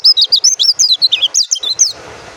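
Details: Oriental white-eye (pleci, dakun type) singing clearly: a rapid run of high, bright chirping notes, about twelve quick sweeping phrases in under two seconds, then quiet hiss.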